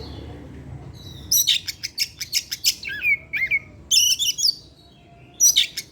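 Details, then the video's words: Kept Oriental magpie-robin singing in the afternoon, used as a lure sound to prompt other birds. After a quiet start, a rapid burst of sharp, buzzy chips gives way to clear, slurred whistles, then a scratchy burst and a final chip series. "pancingan suara kacer , Opus setiap sore ngeplay dan keluar materi"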